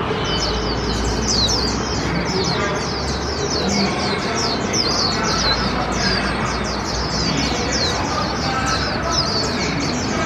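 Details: Hand-raised warbling white-eye, one year eight months old, kept in a cage at a park in 2021 near a loud outdoor puppet performance. It gives a long, unbroken torrent of sharp, high chirps and trills while speech and music drone beneath.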